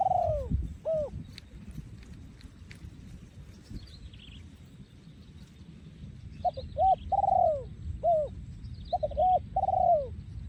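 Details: Thai breeding male spotted dove, 2023, yon khu ang song style: an arched coo or two, a quiet pause with faint high chirps from other birds, then a full phrase of quick short coos, a long falling coo and closing hooted notes.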